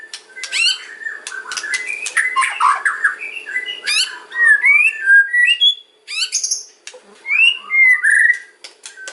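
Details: Kretekan and ocean style white-rumped shama song meant to make other shamas respond: dense burst of clicks and rattling notes, then clear slurred whistles and brief pauses.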